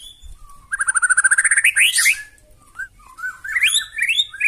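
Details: White-rumped shama singing loudly to draw other birds into reply: a long rapid trill of paired whistled notes rising in pitch, then varied short slurred whistles.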